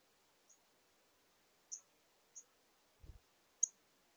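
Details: Male northern cardinal visiting a bird feeder in Minnesota on 6 September 2022, giving an unusual call. Sparse, sharp, very high chip notes come at irregular intervals, with a soft thump near the end.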